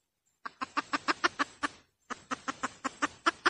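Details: Cackling hen used as a lure, two rapid runs of about eight short nasal clucks each, evenly spaced, rising slightly in loudness toward the end.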